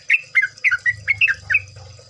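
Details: Yellow-vented bulbul in a chorus recording played to stimulate singing: six quick liquid, slurred chirps with rising and falling inflections, plus a low background rumble.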